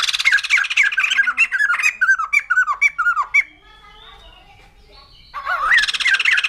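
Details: Quick series of short, bouncy downslurred notes, about four per second, from a white-crested laughingthrush, then a quiet gap before harsh chattering resumes.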